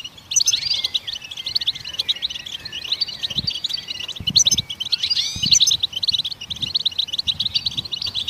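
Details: Goldfinch song, given to stimulate other songbirds to sing: a dense, continuous twittering of rapid high chirps and short trills, with a few sliding notes and soft low thumps underneath.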